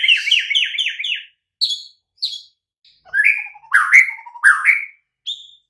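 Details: White-rumped shama master song meant to make quiet birds answer right away: a fast string of repeated whistled notes, a few sharp high calls, then rich rising and falling phrases with low fluting notes between them.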